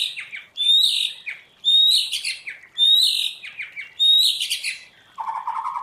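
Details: Caged white-rumped shama trained on the forest-voice style sings four similar high, bright whistled phrases, each about a second apart, ending with a lower warbling trill.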